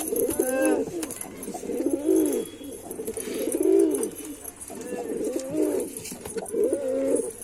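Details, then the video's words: Cooing from a male white pigeon: low, rolling, arched coos repeated about every one and a half seconds, with faint high hiss and occasional clicks behind. "Pigeon Sound Effect (Ultra High Quality) || Male Pigeon Super Performance || White Pigeon"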